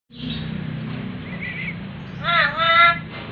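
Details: Tame black-capped lory kept as a pet, known as a talking bird that calls "mama"; a low murmur of background noise, then a short burst of harmonic, nasal, voice-like calls near the end.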